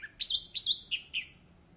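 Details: Orange-headed thrush song used as a lure recording to coax a silent bird into singing: five short, bright whistled notes, each a quick slurred phrase, spaced about a third of a second apart, with a clean, quiet background.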